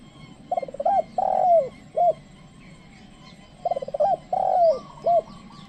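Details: Trained decoy spotted dove calling wild doves. Two phrases, each a stuttering run of quick notes, then a long coo that slurs downward and a short closing note.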